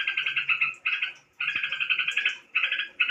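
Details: Tame crokcokan bird singing: dense, buzzy rattling phrases, each about half a second to over a second long, repeated with brief gaps, steady and loud in mid-high pitch with no other clear sounds.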